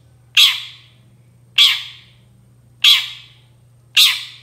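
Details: Long-tailed shrike sounds used to get other shrikes answering: four harsh, scratchy squawks spaced about 1.2 seconds apart, steady rhythm, low mains-like hum underneath.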